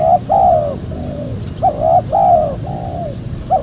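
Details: Spotted dove cooing, a caller recording for luring wild doves: clear mellow coos with a short rising note then a longer falling one, in phrases about every one and a half seconds over a low steady hum.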